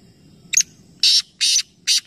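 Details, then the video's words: Black francolin calling at Nawabshah, Pakistan, as three birds call together in a competition. A brief sharp note is followed by three broad, rasping, buzzy blasts spaced about half a second apart, with a faint low hum behind. "Teen Teeter Ek Sath Awaz Competition | Black Francolin | Black Partridge"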